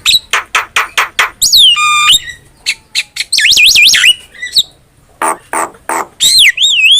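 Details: Javan myna in full song as a tutor recording: a fast series of short harsh notes, a buzzy rattling trill, then looping whistled warbles that rise and fall, ending in wavering whistles.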